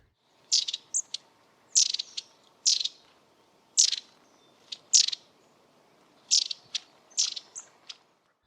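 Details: Long-tailed tit giving very high, thin notes in short bursts about once a second, some ending in quick dry rattles, its characteristic rattle call; faint low hum behind.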